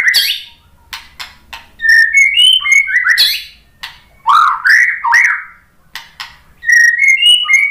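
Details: White-rumped shama singing to prompt other shamas to answer: loud whistled phrases rising and falling, interspersed with sharp clicks and scratchy notes, separated by brief silences.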